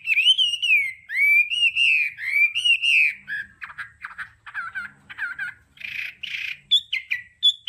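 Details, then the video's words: Varied 'đảo âm' Hwamei song used for voice training opens with long rolling, wavering whistles. It breaks into a chatter of short, choppy notes, then ends with rich slurred phrases. "Âm thanh luyện giọng họa mi hót đảo âm hay nhất"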